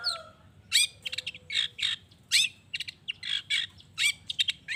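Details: Long-tailed shrike calling, meant to provoke other shrikes into answering. Harsh, rasping phrases with quick stuttering notes follow one another irregularly, with a faint thin whistle early on.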